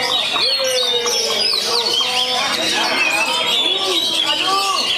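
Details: A competition oriental magpie-robin, described as a steady weekly champion, sings bright whistled phrases with rising and falling slurs and rapid chattering notes, while people talk in the background.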